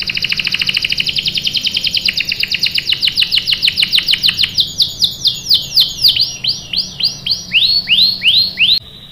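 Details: Canary singing lure song meant to prompt other canaries to answer and roll: long series of bright downslurred notes, rapid at first, slowing into separate arching whistles about twice per second, with a fine high overtone tick above each note.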